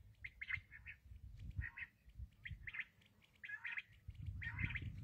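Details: Black francolin (kala teetar) uttering harsh, rasping, buzzy phrases about once a second, some with a lower dipping tail, over low wind-like rumble.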